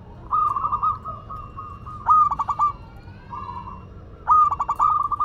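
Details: Local zebra dove from Madura in full song: long humming phrases interrupted by bursts of four or five rapid cooing pulses, repeating roughly every two seconds, against a quiet background.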